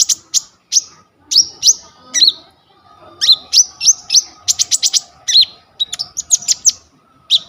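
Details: Coconut lorikeet singing a full, varied 'gacor full isian' song meant for training kolibri ninja birds, phone recording: rapid series of sharp, piercing high chirps and short whistled slurs, in clusters with short gaps.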